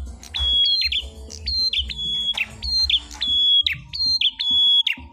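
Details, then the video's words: Ashy tailorbird in a fighting song bout: bright sustained whistles that step up then drop into quick twittering ends, repeated regularly, over faint voices and low rumble. "PRENJAK MERAH GACOR TARUNG"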